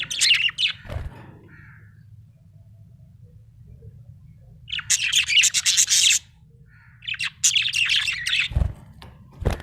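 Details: Happy budgie chirping with long runs of scratchy, rapid high chatter separated by quiet pauses and brief whistles, occasional low knocks, and a faint low hum throughout.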